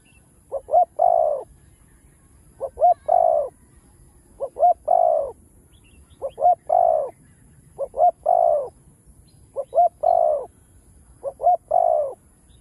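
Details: Spotted dove cooing through the chiêu, thúc and gù styles; seven even phrases, about two seconds apart, each two or three clipped hoots and a longer sliding coo, in a quiet setting.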